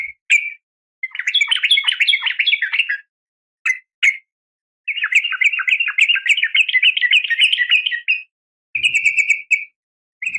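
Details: Calling to the male, a female yellow-vented bulbul gives long, lively warbling chatter in extended runs, broken by brief single chirps and a short steady trill.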